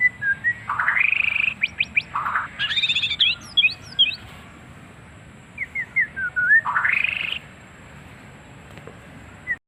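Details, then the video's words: White-rumped shama singing varied, strange-sounding phrases: rich whistled notes, buzzy rising bursts and scattered high chirps, separated by short pauses, over faint background hiss. "Murai Batu Suara Aneh"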